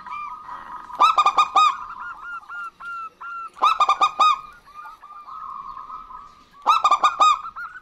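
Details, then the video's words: Male and female local zebra doves calling back and forth: three loud bursts of stacked, ringing coo notes, each trailed by quieter repeated coos, roughly every three seconds. "Perkutut Lokal Gacor Betina Dan Jantan Bersahutan Ampuh Untuk Pancingan"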